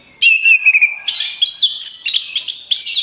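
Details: Lure recording of an orange-headed thrush: a steady whistled opening note drifting slightly downward, followed by dense high, buzzy chattering bursts in quick succession.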